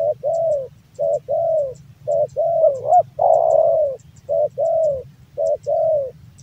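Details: Male Javanese spotted dove singing continuously, low mellow coos in short-long pairs running almost without pause, one phrase swelling into a louder, longer coo midway; faint clicks behind.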